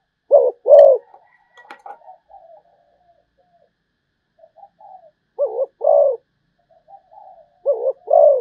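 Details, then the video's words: Zebra dove from Malaysia cooing: short, low, hollow coo bursts in pairs, with softer rolling trills between them, repeating about every two to three seconds in a quiet setting. "chim cu gáy malaysia"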